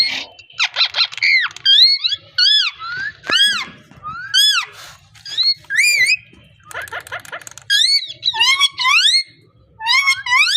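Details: Continuous parrot chatter of arched, rising and falling harmonic syllables, densely packed with few pauses, mixing clear whistles with rougher, buzzy bursts.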